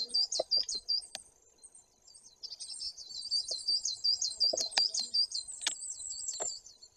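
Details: Great tit close behind a window pane in the Tuchola Forest, Poland, 2 September 2022, uttering rapid strings of high, thin chattering notes, interrupted by sharp taps and knocks.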